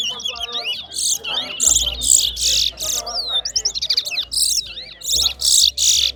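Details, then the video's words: Chestnut-bellied Seed-finch (towa towa) singing in a bird-singing competition: a fast, high, run-on jumble of twittering notes and sweet whistles in quick bursts, with faint human voices behind. "TOWA TOWA BIRD SINGING"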